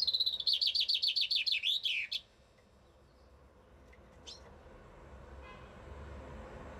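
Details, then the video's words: A chaffinch in Bucharest, Romania, delivers a rapid, cascading trill of high notes that closes with a quick flourish, followed by a single sharp call note over faint background hum. "fringilla coelebs undeva in bucuresti"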